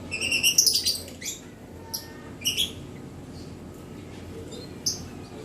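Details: Gloster canary, recorded 21 June 2020: a quick run of bright, whistled, harmonic notes in the first second, then short sharp chirps around two and two and a half seconds and a lone faint chirp near the end, over low steady hum.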